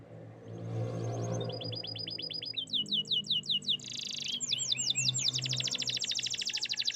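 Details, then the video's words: Canary song with soft low background hum: a run of repeated high trill phrases shifting pitch and speed, rapid sweeping notes and a dense buzzy trill near the end. "the beautiful chirping sounds of canaries"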